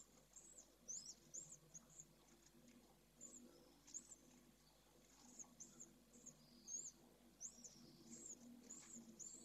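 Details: Swift chicks at a nest webcam in Jerez, Spain, at the first hatching: thin, very high chirps in short bursts, some twittered and some slurred, every second or so over a low steady hum.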